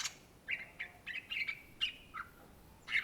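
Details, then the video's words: Cucak Ijo, the greater green leafbird native to Indonesia, in lively song: a quick series of clear whistled notes, some held level, others clipped into short chirps, with a quiet background. "SUARA BURUNG CUCAK IJO GACOR , TELER"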